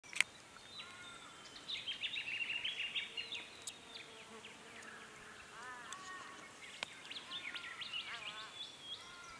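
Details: Jacky Winter at its nest in Canberra on 13 November 2017, giving quick, high twittering chirps in a busy run, then a few softer arched whistled notes, over faint background hiss.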